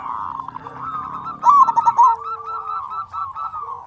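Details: Zebra dove of a local strain, a keen singer with a big voice used to goad quieter doves into singing: one loud stuttering coo phrase stands out over a continuous murmur of softer cooing from several birds.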